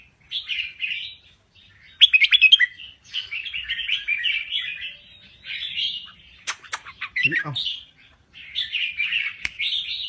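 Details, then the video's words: A red-whiskered bulbul from Thailand sings repeated warbling, chattering phrases separated by short pauses. A few loud sharp clicks and a knocking sound break in midway. "Kicau Burung Merbah Jambul Gacor"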